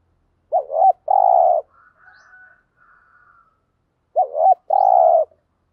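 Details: Spotted dove cooing, played to stimulate decoy doves to coo in reply. Each phrase opens with a quavering double note and ends in a longer, steady low coo. The phrase repeats after about three and a half seconds, with faint thin whistles in the gap.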